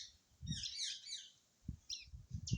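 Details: Male green ringneck parrot, a rose-ringed parakeet, giving harsh chirping calls in bursts, with a person talking and low thumps in the background.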